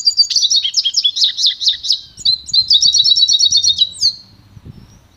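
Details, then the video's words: Goldfinch × canary hybrid singing a pure song for song training: a rapid series of high, sharp, repeated chirps and trilled notes, then a faster buzzy trill, with faint low rumbling in the background toward the end. "canto puro do pintagol"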